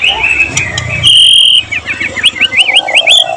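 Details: Loud song of a white-rumped shama, 12 July 2023, with borrowed material from cililin, cucak jenggot, canary and lovebird. Long level whistles give way to a rapid series of zigzag chattering slurs, with faint low rumbling behind.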